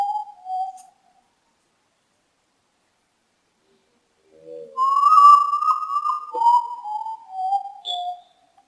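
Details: Urutau or Common Potoo, the ghost bird, heard at midnight: a couple of low whistles, a pause, then a loud mournful series of whistled notes dropping gradually in pitch.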